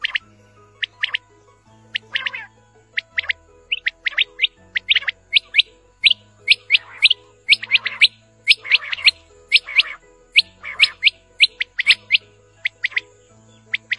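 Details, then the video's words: Quail (batair), a recording used for hunting in a village, calling in quick bursts of sharp, high chirps, repeated every second or two over a low, steady musical drone. "BATAIR KI AWAZ"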